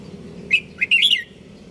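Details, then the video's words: A red-whiskered bulbul delivers one quick, chirpy phrase: a short whistled note, then a fast run of rising and falling warbled notes lasting under a second. "Merbah Jambul"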